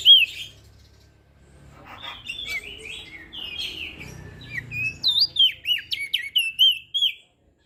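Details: Crested white-eye from Lombok in full song, meant to coax quiet birds into singing: a twittering, warbled passage building into a string of sharp whistled notes that dip and rise, ending abruptly.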